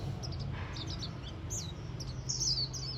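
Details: Several warbling white-eyes chatter on autumn's first day, giving scattered high, brief chirps and slurred tweets, ending in a brighter warbled trill, over a steady low droning noise.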